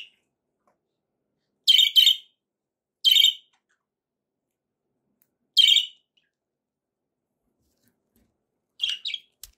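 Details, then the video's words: Happy budgerigar sounds heard as four short, sharp, scratchy calls spaced irregularly, separated by long quiet stretches. "happy budgie sounds"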